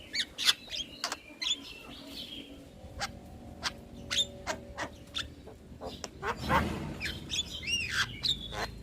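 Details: Starling tutor recording meant to be played repeatedly to young or lazy starlings so they sing often: sharp clicks and short whistled notes in an irregular rapid series, with a burst of harsh chatter and rising whistles near the end over a faint low hum.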